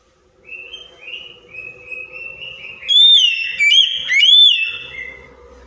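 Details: Oriental magpie-robin provoking song for a silent bird: a series of soft falling whistled notes over a low steady hum, rising into loud ringing whistles with sharp upward flicks.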